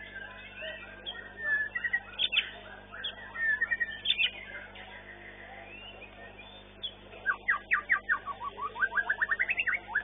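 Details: A first-placed long-tailed white-rumped shama performs at a singing contest. Scattered whistles and chips give way to a quick accelerating trill of sharp rising notes, over background chatter.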